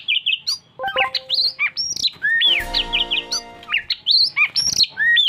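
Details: Oriental magpie-robin singing a rich, varied stream of high whistles, swooping slurs and sharp chips with barely a pause. Midway, a brief harsh buzzy burst with a lower hum sounds beneath the song.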